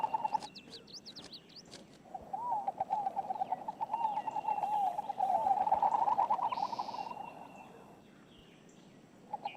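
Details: Inca dove, a sociable dove of backyard feeders, golf courses and mesquite thickets along the Lower Rio Grande in Texas, gives its melancholy "no hope" song: low, mellow wavering coos around one pitch, with faint higher chirps from other birds early on.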